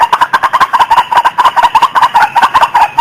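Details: Female white-breasted waterhen calling, a recording used as a lure for trapping: a fast, uneven chatter of harsh clucking notes, about one to two per second-fraction, running continuously without pause.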